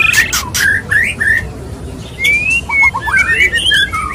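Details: Courting male white-rumped shama: sharp clicks and upslurred whistles open the phrase, a pause, then long clear rising whistles and a quick series of short whistled notes.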